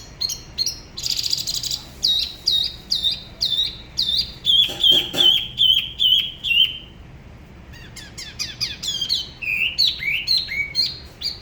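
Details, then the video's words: Solo spot-throated babbler from Da Lat by the La Ba river, Vietnam, in a song said to be unlike other regions: a dense buzzy burst, steady falling whistles, a gliding descending series, then jumbled rapid notes. "Tiểu mi La Bá hót solo/ Spot-throated Babbler the best solo La Ba river"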